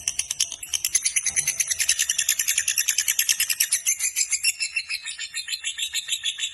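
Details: Fighter-type lovebird giving a long ngekek chatter: a rapid, even stream of high, scratchy notes, about three per second by the beat but densely packed, running unbroken for over six seconds with a faint low hum beneath.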